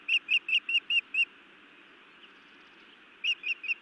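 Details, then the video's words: Female osprey at the nest in Montana, 31 May 2017, scolding her mate before biting him: a rapid series of six sharp, high whistled chirps, a pause, then three more, over steady background hiss. "Feisty Iris scolds then bites Louis a time or two"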